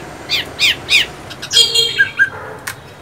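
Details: Chinese hwamei singing: three loud rising-falling whistled notes in quick succession, then a varied run of sharp, warbling phrases and clear piping notes, ending with a click; a quiet background.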